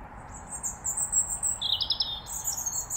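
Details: European robin singing around Wargrave, England: thin, very high sweet notes and rippling phrases, a lower run of quick repeated notes in the middle, over a steady low background rumble.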